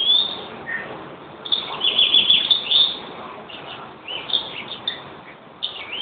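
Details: European greenfinch singing: a quick, busy twittering run of high chirps and short trills, strongest in the middle, with quieter scattered notes before and after.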